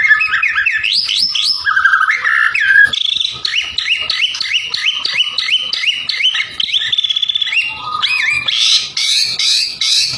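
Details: White-rumped shama in full song used to provoke rivals, rapid repeated rising whistled notes in quick series, then a stretch of fast trilled phrases and harsh high bursts at the end.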